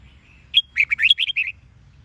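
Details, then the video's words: Red-whiskered bulbul of the Sông Kôn song style, double twisted notes, used to coax wild-caught birds into song. A faint thin note leads into one quick phrase of about seven bright, rolling, slurred notes in under a second. "Luyện Giọng Chào Mào SÔNG KÔN- ÂM XOẮN KÉP / Kích Bổi Hót"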